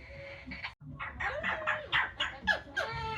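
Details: Pet Yellow-naped amazon outside after a shower, extra noisy while drying off in the sun: rapid raspy chattering notes, about three or four per second, mixed with a wavering nasal call.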